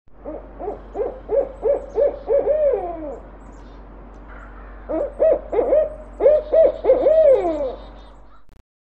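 Barred owl giving two rhythmic phrases of low, resonant hoots, about eight quick notes each, ending in a drawn-out downward slur; otherwise quiet.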